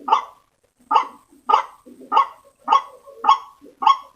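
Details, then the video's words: Lure call of a white-breasted waterhen meant to draw other waterhens in: a series of hoarse, clipped croaks, each roughly 0.6 seconds apart, after a brief opening pause. "Suara Pikat Ruak Ruak"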